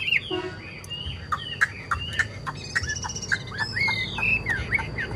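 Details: Chinese hwamei singing a varied run of short whistled slurs and clipped notes, some rising and some falling, delivered in quick succession over a steady low background hum.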